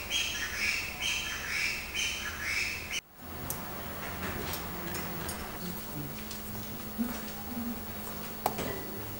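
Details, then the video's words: An 8-year-old pet budgerigar that loves singing and imitates light-vented bulbuls warbles in busy, chattering bursts of high squeaks and trills for three seconds, then softer scattered chirps over a steady low hum. "Budgerigar singing / Budgie sounds"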